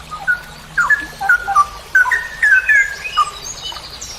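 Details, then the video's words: Straw-headed bulbul (cucak rowo) in a master training recording, long 'ropel' song style: rich, liquid whistled notes, bubbling and slurred, in quick bursts rising and falling, with faint high chirps from other birds behind. "MASTERAN cucak rowo Berkelas||ROPEL PANJANG"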